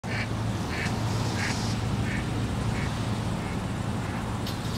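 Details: Killdeer in a supermarket parking lot, 27 March 2016, giving short, thin, high call notes about every two-thirds of a second over a steady low rumble of traffic.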